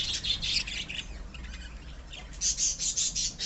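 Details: Pet budgerigars in a colony: harsh, high chirps in a run at the start, a quieter gap with soft notes, then a fresh string of loud, rapid squeaks.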